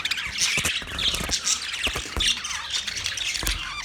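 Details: Many budgerigars in a big cage chirp at once, a loud, steady wall of high warbling chatter and squawks with occasional clicks.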